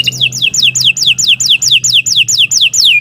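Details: Canary song used for training captive birds to sing: a fast, even series of bright downward-sweeping whistled notes, about four per second, loud and clear over faint low hum.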